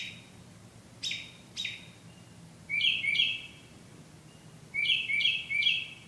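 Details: A bird sings after dark: two sharp chirps, then pairs and triplets of bright whistled notes, over a soft low hum.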